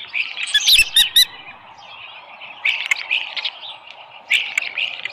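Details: Osprey at its nest with a small live fish, 13 July 2018, 7:10 AM. A burst of sharp, high chirps opens the clip, then short, squeaky call series recur after quiet gaps. Faint background hiss throughout.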